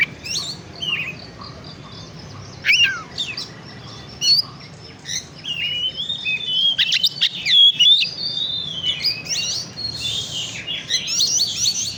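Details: Oriental magpie-robin, a lure to excite birds: scattered high notes building into a lively stretch of loud slurred whistles, harsh chatter and quick trills, with a low hum throughout.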